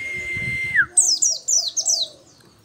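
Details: After a long steady flat tone, an Oriental white-eye of the local 'dakun' type bursts into five quick high chirps, each sliding steeply downward.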